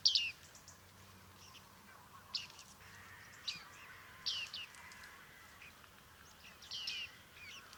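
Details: Bearded reedling, also called bearded tit, recorded at Liepāja, Latvia, in July 2023: clear, high, falling pinging calls at irregular intervals, with quiet gaps and faint low background hum.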